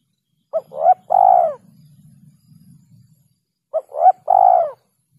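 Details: Spotted dove call used as a lure for catching birds, heard twice: two short rising notes leading into a drawn-out, wavering coo. A faint low rumble sits underneath between phrases.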